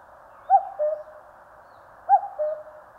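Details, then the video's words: Two clear cuckoo calls in Korea's mountains, each a sharp higher note then a lower drawn-out note, spaced about a second and a half apart over soft hiss. "청량한 뻐꾸기 울음 소리. Cuckoo chirping in the mountains."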